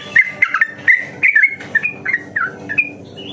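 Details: Yellow-vented bulbul singing, a daily lure recording meant to stir other kept birds into fast, long rapid song; a string of short bubbling, warbled whistles, several each second, slipping slightly higher toward the end.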